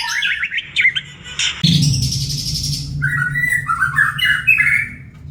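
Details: White-rumped shama song in the morning: quick, varied, jumbled warbles at the start, a loud steady hiss for about a second, then a run of short whistled phrases that rise and fall.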